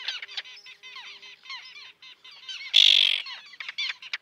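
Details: Common terns at a breeding colony with chicks near a breakwater in Liepāja, Latvia, June 2024; rapid chattering notes, broken by one loud, harsh screeching call lasting about half a second.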